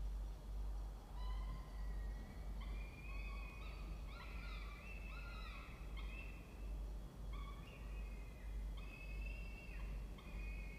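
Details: Peregrine falcons of a family nesting in a nest box in a water tower at Charles Sturt University, Orange, New South Wales, Australia, 16 October 2024 at 07:21; series of clear, drawn-out whining calls with harmonics, some rising or bending, over steady low hum.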